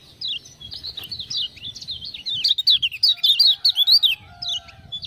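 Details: Energetic song of a kept lemon-bellied white-eye from Lombok, prompted with 'ciak-ciak' sounds: a continuous stream of sharp, high up-and-down chirped notes, growing louder and denser toward the middle, then tapering off.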